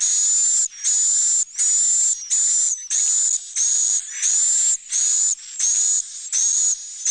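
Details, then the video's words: Repeated swiftlet roosting call used in a swiftlet farm's sleeping and nesting room to make the birds feel secure. Even, harsh buzzy bursts with a high whistled edge, roughly ten in seven seconds with short gaps. "Suara Inap Burung Walet"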